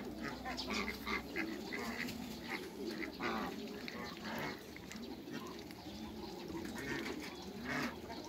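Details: A group of hybrid Cayuga ducks and female Muscovy ducks meeting each other keeps up a steady, busy stream of overlapping gravelly calls, with a low rumble at the start.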